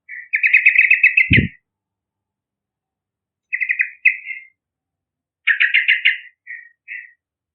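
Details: Yellow-vented bulbul in lively full song, used to lure young wild bulbuls: bubbly, chattering phrases of rapid repeated notes, each burst lasting about a second, with short pauses between and one low thump.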